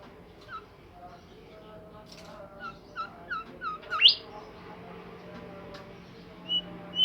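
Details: Bimoli bird in full song against a noisy background with a low hum: quick chirpy notes build into a string of rising whistles and a bright upward sweep, followed by scattered single whistles.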